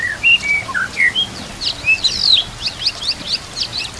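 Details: White-rumped shama song used to train shamas to sing, with soft water and nature background: smooth whistled notes at the start, then dense high chattering and sharp repeated chips.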